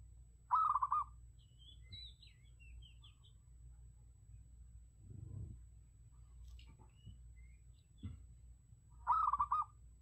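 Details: Zebra dove recorded as a decoy (lure) call: two short bursts of rapid, rolling coos near the start and end, with a quiet gap between. Faint high thin whistles from other birds and low background rumble.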